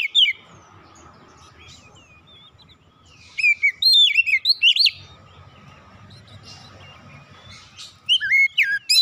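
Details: White-rumped shama (kacer), described as stressed, singing short bursts of varied whistled and chattering notes between longer quiet stretches with steady low background hum.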